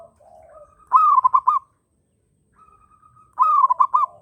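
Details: Local zebra dove in strong breeding condition with other birds sounding along: a faint low murmur, then two phrases, each a held tone opening into four quick bubbling coos, roughly two and a half seconds apart.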